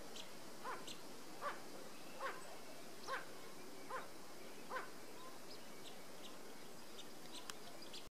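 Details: Short, clipped notes from a blue-winged teal repeated at an even pace of about one per second, recorded at Foam Lake, Saskatchewan, 23 May 2013; thin high chips and a quiet hiss lie behind.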